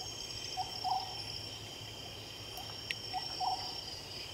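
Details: Oriental scops owl at night gives low, soft croaking notes, a short note then a longer one, repeated every two and a half seconds over steady cricket trilling.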